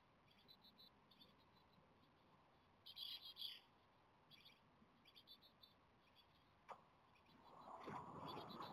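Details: Japanese tit nestlings on day 17 in the nest, begging eagerly for food as the weather turns worse and a stray cat prowls. Short bursts of high, thin, buzzy chirps come in clusters, loudest midway, with a rushing noise at the end.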